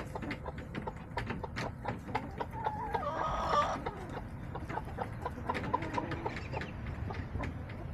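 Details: Backyard chicken flock, October 10, 2024: one brief, loud, nasal outburst near the middle, surrounded by soft scattered clicks and pecking noises in a low steady background.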